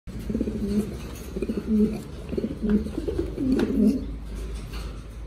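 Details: Mondain pigeon that is friendly with people, giving low, rolling, deep and throaty coos in short bursts about every second, with a faint room hum beneath.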